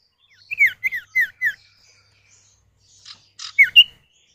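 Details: Male and female common iora calling back and forth as a lure for other birds: four sharp downslurred whistles in quick succession, a pause, then a short buzzy note and a final pair of rising and falling whistles.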